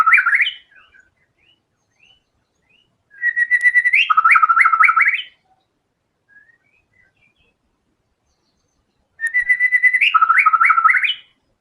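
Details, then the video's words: White-rumped shama singing vigorously, showing off its repertoire of learned filler phrases: loud bursts that open with a steady whistle and break into rapid, chattering repeated notes with rising ends, with soft chips between bursts. "MURAI BATU GACOR‼️FULL BONGKAR SEMUA MATERI ISIAN"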